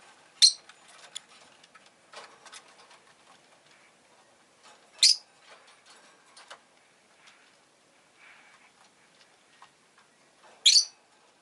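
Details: Rosy-faced lovebird giving three short, piercing chirps spaced a few seconds apart, over soft ticking and clicking noises in the background.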